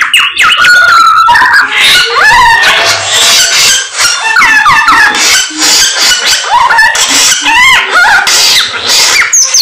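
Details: Persistent, energetic song of a samyong bird, packed with rapid scratchy chatter, squeaky notes and short whistled sweeps that overlap continuously.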